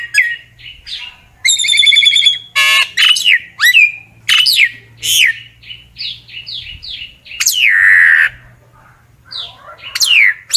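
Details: Common myna song calling the flock: a varied mix of squawks, rapid trilled notes, clear whistles and rising and falling slurs, separated by brief pauses.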